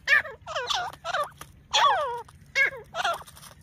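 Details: Fighting grey francolin: a run of loud, rasping, bending calls with rich overtones, some brief and clipped, others longer and drawn out, separated by short pauses over a faint low background hum.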